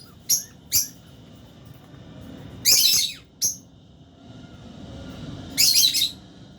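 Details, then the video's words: Albino and Fisher's lovebirds feeding in an aviary: two quick thin chirps, a longer buzzy screech, another sharp chirp, then a rough drawn-out squawk, irregularly spaced. "Lovebirds Chirping Sounds"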